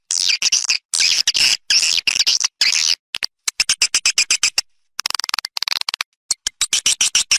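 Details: Outdoor Malaysian swiftlet calls meant to lure birds into a nesting house: long buzzy high twitters at first, then quick staccato clicking pulses and short chirp runs with brief pauses.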